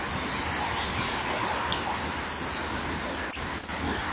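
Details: A male common kingfisher calls on reaching the back perch near a nesting wall, 21 January 2012, mid-morning. Short shrill high whistles come singly and in pairs at uneven gaps against steady background hiss.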